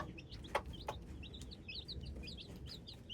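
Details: Young hybrid chicks cheeping in short high notes, scattered across the moment, mixed with a few dull knocks and a low background hum.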